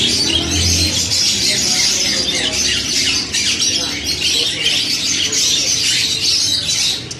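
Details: Yellow Australian parrots kept as pets in Khanewal, Pakistan, squawking and chirping continuously in a busy high-pitched chorus that dips briefly near the end.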